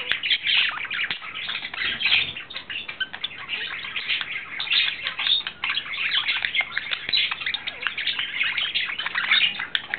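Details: In April 2009 a male budgerigar in love chatters nonstop, a fast mix of twittering chirps, clicks and squeaky whistles at an even, lively pace.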